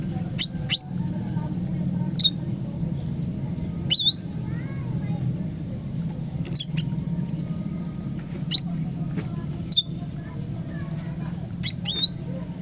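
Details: Tamed Oriental magpie-robin, caught in the forest a day earlier and now tame: sharp, high, fast down-sweeping chirps given singly or in quick pairs at irregular gaps of one to two seconds, over a steady low hum.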